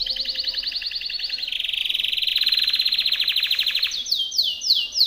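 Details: Timbrado canary's powerful song for training other canaries: loud fast rattling trills shifting down in pitch step by step, ending in a few rapid descending swoops.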